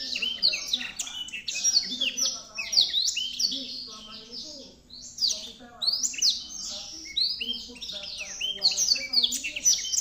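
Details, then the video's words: A black-throated canary sings a fast, unbroken, high-pitched warble of quick twitters and trills, with only brief pauses. Faint voices may be in the background. "burung blackthroat gacor"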